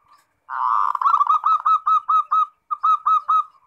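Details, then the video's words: Zebra dove in 'ngerot' song meant to trigger answering song from other doves: a loud rolling coo leads into a steady series of about ten hooked notes, briefly paused before the last three. "Suara Perkutut NGEROT Bikin Birahi & Emosi"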